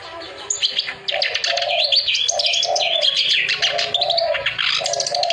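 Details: Clamorous reed warbler in full song for coaxing birds that have gone quiet: a loud, continuous torrent of harsh chattering notes over lower, sustained droning tones, a faint low rumble behind.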